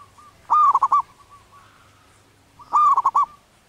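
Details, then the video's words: Wild zebra dove in breeding condition singing its cooing song, called manggung locally. Two quick rolling phrases of four or five coos each, about two seconds apart, over a soft hum and a faint steady tone. "Suara anggungan perkutut lokal alam liar sedang birahi"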